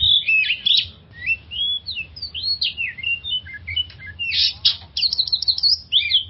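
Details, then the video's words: Oriental magpie-robin song played as a lure to calm stressed kept birds: a fast varied run of whistled slurs and chattery notes, rising and falling, with brief pauses and a faint low hum beneath. "suara pancingan burung kacer untuk mengatasi stress"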